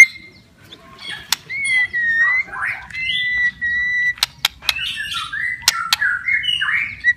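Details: White-rumped shama in captivity delivering a varied song meant to trigger singing in lazy or stressed shamas: long pure whistles, buzzy rising phrases and squawky notes, punctuated by sharp clicking sounds.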